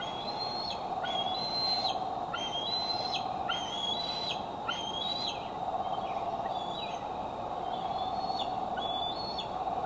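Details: Decorah bald eagle on an eagle cam, July 6, 2011: a long run of quiet, high whistled chirps, rising and then dipping, repeated steadily about every second, over a constant low hum.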